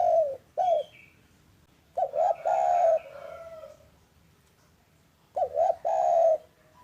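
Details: Afternoon calling of a local spotted dove, played to make reluctant doves start calling. Paired short coos, then phrases of quick double coos ending in a long, gently falling coo, repeated three times.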